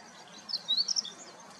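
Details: Meadow bunting singing, filmed handheld on a Nikon P1000 camera; a clear, cute voice. A brief high, thin phrase of quick sharp notes and a short rising slur, fairly faint over a soft steady background hiss.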